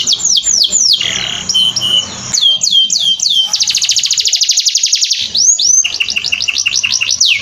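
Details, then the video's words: Canary song meant for training other birds: looping down-slurred whistles, short flat notes, then a long rapid rattling trill, followed by quick rising and falling chirps in close succession. "Masteran Burung kenari"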